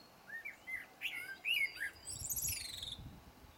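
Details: Blackbird song of soft warbling whistles building to a louder phrase, then a high, squeaky, trilled twitter that fades out.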